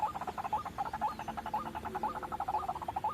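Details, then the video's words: White-breasted waterhen lure call for trapping: throaty croaks in quick rhythmic succession, about two per second, each ending in a short upward hook. "suara pikat burung ruak ruak"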